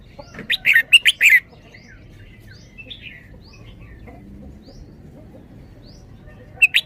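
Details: Red-whiskered bulbul kept in a cage, 'double-double' song style: a fast cluster of loud warbled notes, followed by soft distant bird chirps and one more brief phrase at the end.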